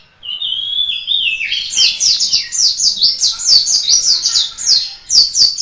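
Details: Indonesian white-eye, a local Malang bird in full, vigorous song: opens with a few thin whistles, then rushes into rapid, high, sweet twittering phrases strung together almost without pause.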